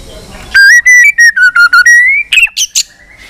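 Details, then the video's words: Singing white-rumped shama, many-voiced fighting song: a loud series of clear whistles with brief breaks, gently rising overall, ending in three sharp high notes. "chòe lửa hót nhiều giọng kích bổi hót đấu"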